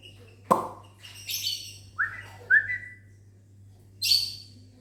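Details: Lovebird in a mini aviary on a morning, calling back to a whistler: a sharp click, then a run of shrill rising chirps and a harsh screech, spaced about a second apart, against low background hum.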